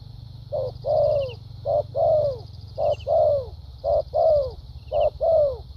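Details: Caged decoy spotted dove with a well-patterned voice, in thúc gù and lèo dặm style, gives paired coos: a short low note, then a longer falling coo, repeated about once per second, over a steady high insect buzz.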